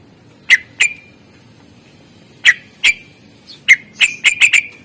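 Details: Singing greater green leafbird, a master recording for coaxing quiet birds: spaced sharp whip-like notes in pairs with long pauses, ending in a quick run of five clipped calls.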